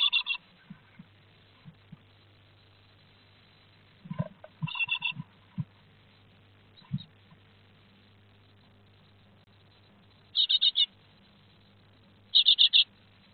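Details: Great tits at a nest box in Théding on 3 July 2023, during the third fledging of a second brood of five young. Four short bursts of rapid, high, chattering notes, with soft low knocks and thumps between them.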